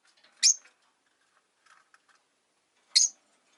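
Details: Caged rosy-faced lovebirds, five by a window, heard in winter. Two separate piercing chirps come about two and a half seconds apart over soft low chatter and faint room noise.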